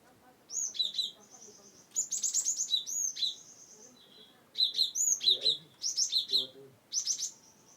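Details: Cinereous tit from Wonosobo, used to coax reluctant birds into singing. Bursts of high, sharp chirped notes come in clustered phrases separated by short pauses, with faint low murmurs underneath.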